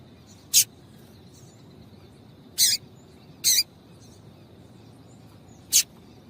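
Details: Female Double-collared seedeater call, used to stir males into singing: four very high, sharp chip notes spaced irregularly over six seconds against quiet background hiss.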